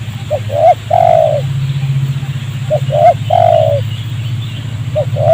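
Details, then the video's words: Spotted dove in a rubber plantation, a wild bird responding excitedly to a trapper's decoy. Short hooked notes lead into a long sliding coo, phrase repeated twice, backed by a steady low drone. "bl ya terlalu emosi tinggi ketika dengar suara ajaran kita"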